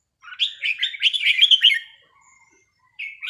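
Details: Caged red-whiskered bulbul in a singing practice session delivers one quick jumbled burst of bright whistles and chirps lasting under two seconds, a pause with a faint low note, then a new phrase starts.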